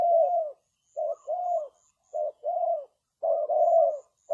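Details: Spotted dove cooing as a lure for trapping birds: short groups of deep, rounded coos, one and two notes at a time, separated by brief pauses.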